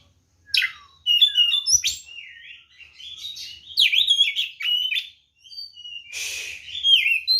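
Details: A white-rumped shama sings its fighting song to provoke other birds: sharp notes, whistled slurs and warbled phrases, with a short harsh rasping burst near the end.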